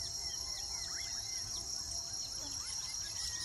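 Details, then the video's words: Weaver birds building nests in Uganda, several calling at once with thin descending whistles and quick chirps in a busy jumble, backed by a steady high insect buzz. "sights & sounds of the weaver birds intricate nesting habits"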